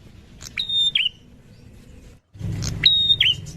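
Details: Two calls from a wild prinia, each a tick, then a clear level whistle dropping into a brief curled note, separated by a quiet gap and a short dropout.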